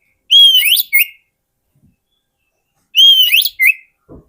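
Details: Oriental magpie-robin song offered as a lure for wild birds: the same loud whistled phrase given twice about 2.6 seconds apart, a level whistle sliding down then up, followed by a short buzzy note.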